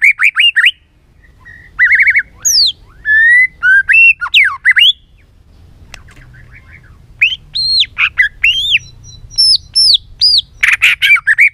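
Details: White-rumped shama sings many-voiced song used to excite and train other shamas: varied loud whistled phrases, some rising and arching, others rapid trills and harsh notes, broken by a short pause and ending in a dense burst.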